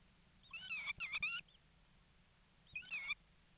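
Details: Common starlings talking inside a nest box in Estonia, webcam recording, morning of 11 May 2019: two short bursts of wavering, warbled whistles over a quiet low hum.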